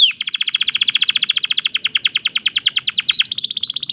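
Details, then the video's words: Canary in breeding condition, singing a long rapid trill of uniform buzzy pulses, about ten per second, held for nearly four seconds before shifting to a slightly different, higher trill at the end. "tembakan unik kenari gacor birahi"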